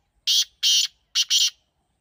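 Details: A teetar, or partridge, gives loud, rasping, broadband call notes: two long harsh bursts, then a quick double burst, forming one emphatic phrase.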